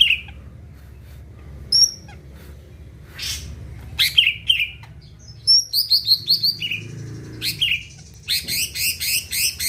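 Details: Greater green leafbird, a caged songbird kept to make other birds sing, mixing thin high whistles and slurred notes that build into a fast chattering phrase and a long regular series of rasping notes.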